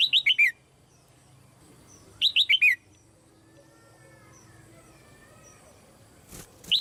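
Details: Female red-whiskered bulbul calling in a cage, used to stimulate other birds to sing: short bursts of four clear, descending whistled notes, repeated about two seconds apart, with quiet background and a faint click.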